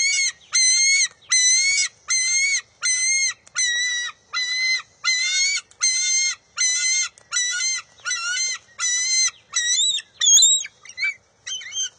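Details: Young bald eagle fighting its mother over a fish at the nest on June 23, 2021: a long run of about sixteen shrill, evenly spaced whining notes, breaking into shorter, wavering cries near the end, with one sharp knock.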